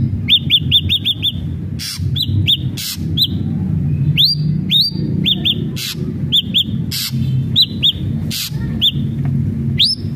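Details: Lively song of an ashy drongo, played to encourage captive birds to sing: quick bursts of high, sharply rising whistled notes in groups of two to five, broken by loud hissing, rasping noises.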